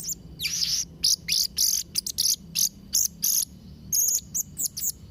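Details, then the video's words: Blue-crowned hanging parrot, a vocal 'gacor' bird, singing varied filler phrases: a fast run of very high, thin, shrill chirps and short buzzy bursts in quick uneven succession, some notes paired, over faint low background hum. "Variasi & Isian Suara Serindit Trotol Gacor"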